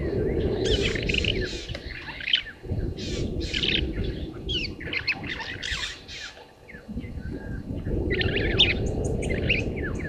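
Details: Rattling cisticola (Cisticola chiniana) below a waterhole camera at Gowrie dam, Djuma Game Reserve, Sabi Sand, South Africa, 06:31, 13 September 2023, sings bursts of sharp chips and dry buzzy rattles every second or two over wind rumble.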